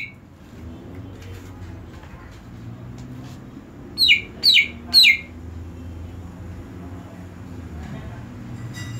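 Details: Greater green leafbird heard during therapy for a bird that has stopped singing: three loud, sharply down-slurred whistled notes in quick succession, about half a second apart. Quiet background hum and faint chirps fill the rest.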